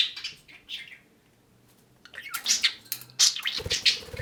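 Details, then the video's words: Male pet budgerigar talking while perched on a person's shoulder indoors; bursts of high, scratchy warbled chatter with quick chirped notes, broken by a short pause, then denser buzzy phrases and a few low thumps. "Kiwi the budgie talks to me on my shoulder"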